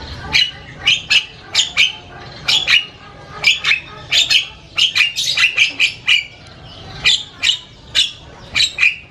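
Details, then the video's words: ['Loud, varied chattering song of a Javan myna: harsh, scratchy bursts and squawky notes in quick irregular clusters, some brief pauses between groups.'] "SUARA JALAK KEBO NGOCEH KERAS BERBAGAI VARIASI BUNYI"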